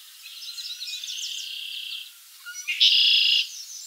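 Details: Yellow Warbler singing at Montrose Point, recorded May 2012 or earlier: a bright high run of quick sliding notes for two seconds, a short pause, then a loud buzzy high trilled burst.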